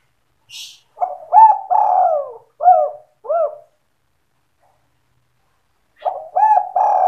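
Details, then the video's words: Spotted dove lure for trapping, sandung kuk 2 style: a low throaty phrase of stuttering coos, a slurred rolling coo and two short kuk notes, then silence before the next phrase begins; a faint high chirp at the start. "SUARA PIKAT BURUNG TEKUKUR DERKUKU GACOR SANDUNG KUK 2"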